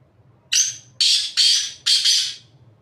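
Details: Black francolin calling from the top of a rock: a loud, harsh, grating phrase of four rasping notes, a short first note then three clipped bursts within about two seconds.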